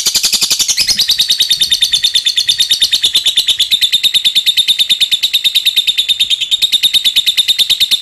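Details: Lovebird giving a long chattering song, used as a lure to prompt other lovebirds to sing along; rapid high pulses repeated about three times a second throughout, steady and unbroken for the whole stretch.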